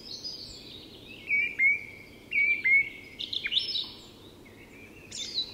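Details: Dawn song of a song thrush, Tyresta National Park, Sweden: a clear whistled note repeated two or three times, then a quick jumble of higher chirps, with a few faint birds behind.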